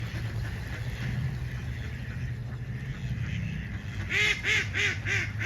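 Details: Several ducks quacking outdoors; a run of about five loud, nasal, evenly spaced quacks comes late, after a stretch of low rumbling background noise with faint calls.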